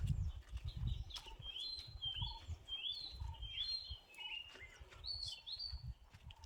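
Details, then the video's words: Small birds calling on a mountain trek to Sathuragiri, heard as the most common sound: short high chirps and slurred whistled notes repeated through the clip, with a low deeper note under them and a few footsteps and rustles. "குருவிகளோட சத்தம்தான் அதிகமா கேக்குது. இந்த பக்கம் குருவிகள் கத்துது இந்த"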